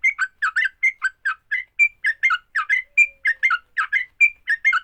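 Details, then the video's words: Sooty-headed bulbul in fighting-song mode, meant to provoke other bulbuls into singing: a steady run of bubbly, liquid two-part notes, some clear whistled slurs mixed in, repeated about four times a second without a break. "Kicau TRUCUK TARUNG, paling cepat bikin trucukan BUNYI."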